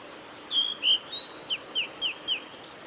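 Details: A male blue-and-white flycatcher sings on 17 May 2020 along Kanazawa forest road near Lake Miyagase, Japan: a few clear whistled notes, one rising, then four evenly spaced, sharply falling slurred notes, in a quiet setting.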